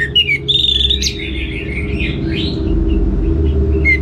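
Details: Orange-headed thrush singing a drawn-out whistled phrase followed by softer, wavering warbles and a final short rising note, with a constant low droning hum beneath.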